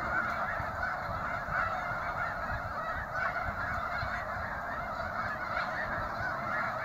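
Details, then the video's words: Snow geese gathered at Bosque del Apache fill the air with an unbroken wall of honking. Countless overlapping voices form a constant, slightly pulsing din, with a few louder yelps rising above the mass. "Snow geese"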